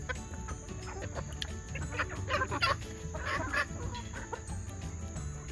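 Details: Mixed flock of second-generation junglefowl hybrids and game hens in a yard at feeding time; several short, harsh clucks and squawks cluster mid-clip over a steady low hum and a constant high-pitched whine.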